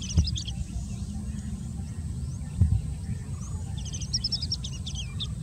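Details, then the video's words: Oriental Skylark singing on the Socorro Plateau, Goa, in high, rapid bursts of twittering, chirping notes, partly drowned by a steady low wind rumble and a couple of soft thumps. "Oriental Skylark singing"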